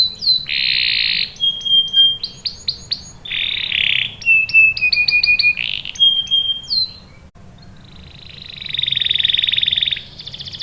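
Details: Canary female in breeding condition calling a male: varied song of bright whistled notes, pure steady tones and buzzy rolling trills in quick bursts, with short pauses and a long dense trill near the end.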